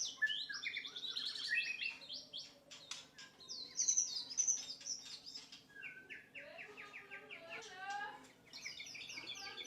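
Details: White-rumped shama song for training other songbirds: fast, varied phrases of high whistles, trills and rattling notes, some clear descending slurs, with a steady low hum beneath.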